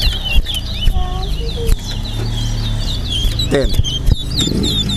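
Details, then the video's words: Chestnut-bellied seed finch (towa towa) singing bright, fast whistled phrases with quick twittering notes during a bird singing race at Linden, Guyana, while a crowd talks and a voice counts aloud over a low rumble. "TOWA TOWA BIRD RACE"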